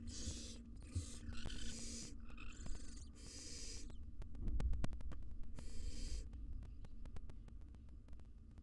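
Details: Barn owl mother and fledgling squabbling inside a wild nest box: a rapid run of raspy, broken hissing screeches in the first four seconds, then one more long hiss, with a low background hum and frequent clicks.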